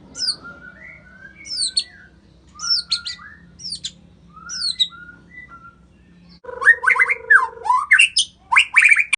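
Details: Indonesian white-rumped shama repeating short high downslurred whistles with lower notes about every second, then a fast, dense, chattering burst of mixed notes over a brief steady tone.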